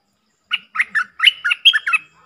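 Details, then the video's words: Bubbly, chattering song of a stripe-throated bulbul, a dok-style phrase: seven or eight rich, slurred notes in quick succession over about one and a half seconds, mellow and liquid with no other sounds. "เสียงต่อนกดอกแตงEp.99 เปิดดอกเน้นๆ"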